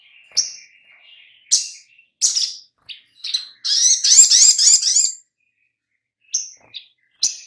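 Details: Oriental magpie-robin on a lure track for making birds sing: scattered sharp chips over a faint steady tone, then a dense burst of fast, scratchy warbling, followed by more single chips.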